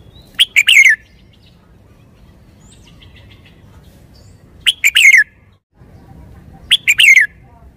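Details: Red-whiskered bulbul repeating the same short three-part song phrase three times, at gaps of roughly two to four seconds. Each phrase is two quick bright notes and a descending warble. Quiet low hum fills the pauses.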